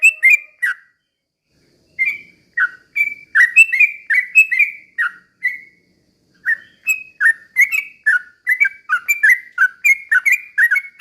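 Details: Lure song of a Sooty-headed bulbul, vigorous and slow-rolling, used to provoke other bulbuls: three notes, a pause of over a second, then bursts of liquid whistles that quicken into a dense run toward the end.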